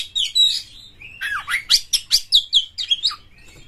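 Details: A prolific Oriental magpie-robin used as a singing prompt for other magpie-robins, opening with a clear whistle, then a fast series of sharp, swooping notes repeated roughly five times a second.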